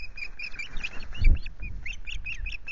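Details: Osprey at the Loch Garten nest on an afternoon of 25 July during fish deliveries; thin high chirping notes repeat irregularly throughout, over a steady low rumble of wind with a brief louder thump near the middle.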